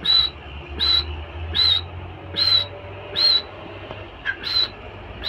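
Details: Female teetar (francolin), a bird kept for breeding, giving thin, high whistled notes repeated steadily about once every 0.8 seconds, over a low background hum.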